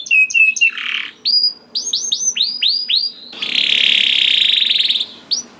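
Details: Young canary singing to stimulate other canaries: clipped chips and curved whistled notes, then a long, harsh buzzy trill lasting over a second, fading to a final chip.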